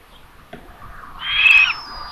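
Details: Common buzzard at a solar-powered nest camera in Tiszalök, Hungary, on May 27 at 12:32, as a parent brings lunch to the third chick. A single short, high, strained mewing note rises and swells, then breaks off abruptly.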